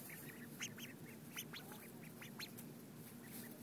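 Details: Ducks being fed in 2011, giving short, clipped nasal calls in quick overlapping bursts, several birds at once, some notes rising sharply, over a steady low rumbling hum in the background.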